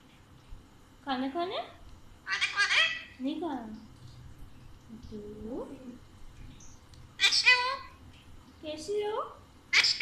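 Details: Pet Alexandrine parakeet, playful and talkative, talking in Urdu/Hindi indoors: a string of short, harmonic, speech-like word bursts, some rasping and others with falling inflections, spaced about one to two seconds apart, with quiet pauses between.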